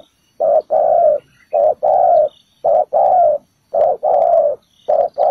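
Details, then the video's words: Spotted dove calling from the ground as a trapping lure. It gives clear low coos in a steady short-long pattern, each pair about a second apart, with little else heard. "Bẫy cu gáy mồi đất, bổi thổ đủ bài, quá hay"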